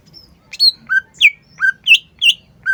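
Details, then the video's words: Cucak ijo delivering alternating high and lower whistled notes, each clearly separated, some slurring down, in a bouncy rhythmic sequence. "CUCAK IJO GACOR"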